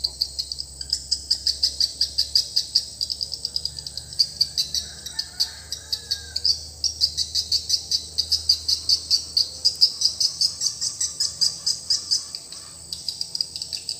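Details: Newly replaced swiftlet lure call for a swiftlet house: long runs of rapid high chirps and clicks pulsing steadily, with brief gaps and a faint lower twittering underneath.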